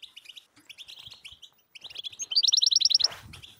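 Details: European goldfinch song for stirring silent birds into song, starting with soft scattered twitters and building to a loud rapid trilled burst of high notes near the end.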